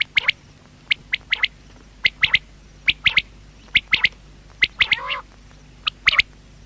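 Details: Common quail giving rapid sets of high, pulsed notes, two or three at a time, repeated just over once a second, with one descending, rasping call midway, over soft hum.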